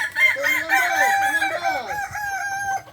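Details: Kukuak balenggek roosters at a crowing contest final in Ampang Kualo, Kota Solok, on Sunday 8 September 2024; a long, stepped, multi-syllable crow with wavering tonal notes lasting nearly three seconds, other crowing layered beneath.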